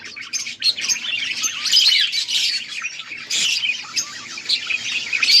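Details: Several budgerigars chattering on August 14, 2024, high twittering warbles mixed with harsh squawky notes, the flock briefly quieter mid-clip before surging again.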